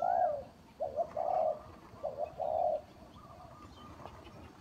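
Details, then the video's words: Spotted dove used as a lure bird for trapping, giving a short series of low, mellow coos that rise and fall, then a pause with only faint background hiss. "เสียงนกเขาใหญ่, terkuku pikat,Tiếng chim cu gáy mồi chuẩn gáy gọi cực hay"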